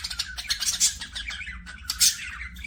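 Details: Pet parakeets, budgerigars from an aviary, give quick scratchy chirps and a couple of sharp, high squawks amid softer warbling, with a low hum beneath.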